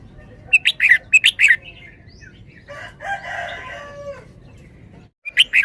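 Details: Caged red-whiskered bulbul from Thailand in 'berl-berl' style: a run of quick, sharp whistled notes, a lower drawn-out harmonic call in the middle, then another burst of whistles at the end.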